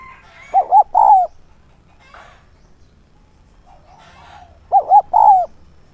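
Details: Decoy spotted dove calling in thúc and gáy gọi style to lure wild doves: two identical three-note coo phrases about four seconds apart, each two short coos and a long falling one, with soft distant bird chatter between.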